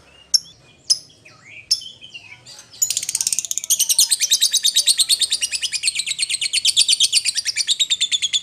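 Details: Lovebird calling to its companion, used as a lure call to draw out rivals: a few sharp separate chirps, then a long fast run of high, rapidly repeated chattering notes that keeps going to the end.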